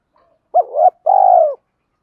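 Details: Decoy spotted dove cooing to attract wild doves. A short hoot rises into a swelling note, then a sustained, fluttering coo drifts slowly downward.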